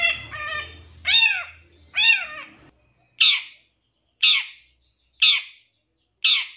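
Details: Lure sound of a long-tailed shrike, a 2023 champion, used to get shrikes singing and agitated; a few drawn-out, wailing, downslurred notes followed by harsh rasping calls about once a second.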